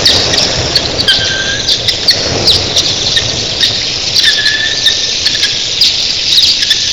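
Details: Red-billed queleas massed by the thousands at early morning: a high, seething chatter with a few clearer short whistles standing out, over a constant surf-like roar of wings.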